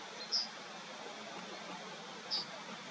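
Two short, high, thin notes from a Yellowhammer, about two seconds apart, over a steady background hiss.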